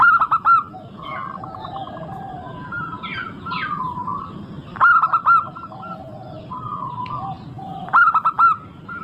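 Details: Zebra dove of a local strain singing steadily, played as a lure recording: loud phrases of three or four clipped coos repeat at roughly four-second intervals, with quieter dove coos and chirps filling the gaps over low-frequency noise.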